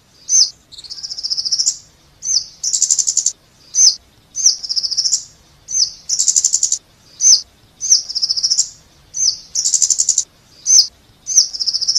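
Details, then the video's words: Scarlet-backed flowerpecker song, high thin piercing notes alternating with fast buzzy trills, phrases repeated steadily about every second with brief gaps, loud and clean with no other sounds. "เสียงนกชมพูสวน Scarlet-Backed Flowerpecker Sound"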